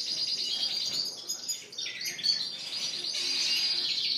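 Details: Shop-kept canaries, Spanish Timbrado and Gloster breeds, singing in April 2016 with sustained rolling trills and buzzy twitters, several birds overlapping into a dense chorus.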